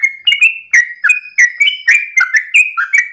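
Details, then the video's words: Sooty-headed bulbul singing at dawn, 'ropel' style, with crisp whistled notes rising and falling in quick succession, a thin high tone threading beneath part of the phrase. "ROPELAN TRUCUKAN Terbaik subuh pagi hari"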